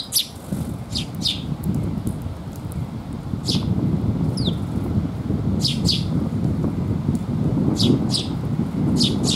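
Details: Young sparrows arrive to be fed at a rest area in rain, afternoon of 27 May 2021. Short sharp chirps come in loose bursts every second or two, heard above a loud rushing roar of rain and wind.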